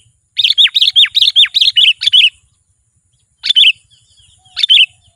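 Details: Sooty-headed bulbul singing energetically, played to call wild bulbuls closer: a fast series of about eight sharp, descending chirped notes, then a pause and two separate short, liquid, slurred phrases.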